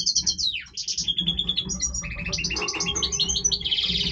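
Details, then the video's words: Major goldfinch breeding song, a continuous stream of high ringing notes, descending trills and rapid buzzy twittering ending in a harsh rattle, over a constant low hum. "Stieglitz Major Breeding Voice - singing Goldfinch"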